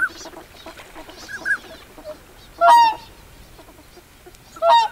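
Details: Whooper swans calling on a lake alongside pintail ducks, recorded at medium close range: two loud, brassy honks with rich overtones stand out about two seconds apart, over softer scattered calls and faint higher notes in the background.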